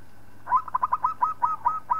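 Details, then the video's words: Local zebra dove singing, kept as a master bird for training other birds; a single phrase of about nine soft, rounded coos, each swelling and fading, spaced roughly a quarter second apart, over a faint steady electrical hum. "Suara Perkutut Lokal Palng Zos Untuk Masteran"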